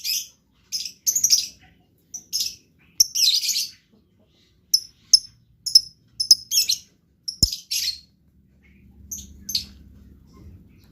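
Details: Blue lovebird song in gacor style: scattered sharp, thin chirps and brief rasping bursts with irregular gaps, then a low faint hum toward the end.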